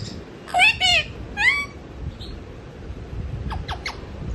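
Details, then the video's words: Mithu parrot talking softly in its sleep: three drawn-out nasal squawks with bending pitch, followed by a few faint quick chirps, against low indoor background hiss. "mithu parrot talking in sleep"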